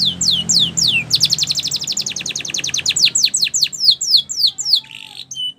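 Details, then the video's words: Canary song used for training canaries to sing, with Spanish Timbrado style mentioned: rapid high whistled notes in fast repeated downward-sweeping trills, shifting to quicker rolls and a sustained buzzy note near the end. "Your Canary Will Sing A Lot With This Voice"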